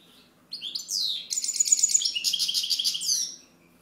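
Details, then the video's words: European goldfinch singing: a fast, liquid, high twittering run of tinkling notes and buzzy trills lasting about three seconds, with a faint low hum underneath. "Chant Chardonneret"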